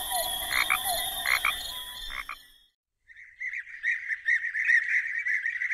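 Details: European bee-eaters in Rhineland-Palatinate, Germany, calling far in the background: rolling, liquid 'prruip' calls repeated fast and overlapping in a mid-high chorus after a few opening calls, over a faint hum.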